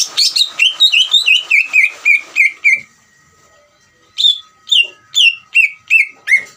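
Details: Greater green leafbird singing in ngeriwik style, a trill used to provoke other leafbirds into singing: rapid series of sharp, down-slurred whistled notes about three per second, a pause of over a second, then a slower run of similar notes; faint steady hum beneath.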